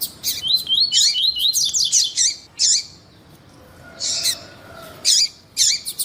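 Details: Double-collared seedeater, song meant to excite males for breeders' contests. A dense high warbling run for about two seconds, a pause, then scattered loud twisting chirps.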